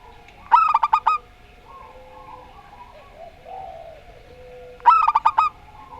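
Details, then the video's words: Zebra dove, local bird singing the Rondo Semoyo style, gives two bursts of five to six rapid, bubbling coos about four seconds apart; soft murmuring sounds and a low hum fill the gap. "Perkutut Lokal Rondo Semoyo VS Perkutut Suara Aneh"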